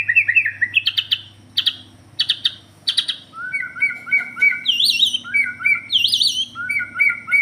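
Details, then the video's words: White-rumped shama of the Borneo type singing: whistled, slurred phrases, then sharp repeated high notes, then looping warbled whistles that rise and fall, delivered in quick bursts with a low steady hum underneath. "murai Borneo 1titik"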